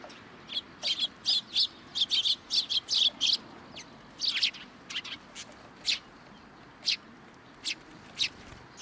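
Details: Sparrows flocking in for food first thing in the morning at a Tenmangu shrine on 18 October 2022, giving a rapid run of loud, bright chirps that thins into spaced single notes toward the end.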